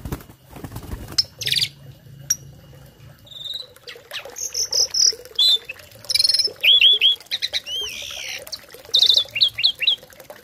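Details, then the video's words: Tame starling giving filled-in tutor song for other birds: scattered buzzes and short notes build into a dense medley of looping whistles, trills and chirps, with a low hum early on. "Burung Jalak Jinak Isian Nembak || Cocok untuk masteran burung lain langsung nyaut"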